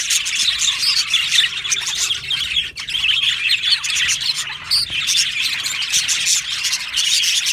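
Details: Budgerigar colony in an aviary makes a dense, high, squeaky chatter with scattered squawks and a couple of sharp clicks amid constant twittering.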